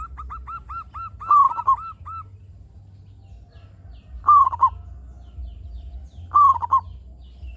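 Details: Zebra dove of a local strain, its song played to prompt other doves to call: a run of soft arched coos, then three short rolling cooing phrases spaced about two seconds apart over a low background hum.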